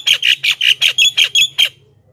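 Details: Lively Javan myna song used as a lure for wild mynas: eight short, harsh, squawky notes in quick, even succession, about four a second, ending abruptly in quiet with a faint low hum.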